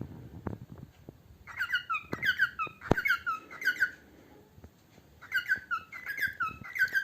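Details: Eating pet parrot breaks into song: sharp clicks and taps open, then bursts of bright, falling whistled notes repeat in quick, irregular phrases, with a short gap midway.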